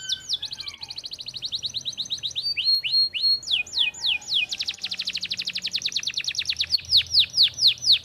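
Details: Singing canary delivering a varied sequence of sweeping whistled notes that give way to a long, fast, bright trill, with a low hum beneath.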